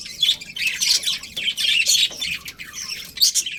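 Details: ['A colony of colourful budgerigars chatters continuously, with quick high tweets and squawky notes overlapping in a busy stream.']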